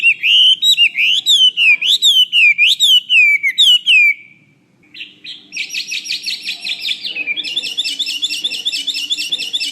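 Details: Chinese hwamei, or wambi, singing as a training model for kiacu birds: a string of zigzag whistled notes, a short gap, then a fast buzzy rattling trill.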